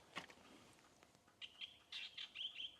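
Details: Drongo in the South African Lowveld, Rietspruit Game Reserve, at sunset on 10 November 2024, alarm calling after chasing a Gabar goshawk that remains visible. It gives a quick run of high, scratchy, twanging notes lasting about a second.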